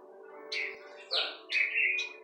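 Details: Young, very tame captive black-throated grosbeak loose indoors, being taught a green-winged saltator's song, sings three short, bright, slurred notes over about two seconds against a steady low indoor hum.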